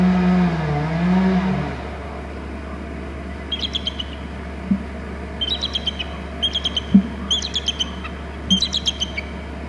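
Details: A bald eagle at its Hornby Island nest territory, having flown off from a glass house and returned, gives high, thin chittering trills in quick bursts of several notes, about once a second; a low vehicle rumble is heard at the start.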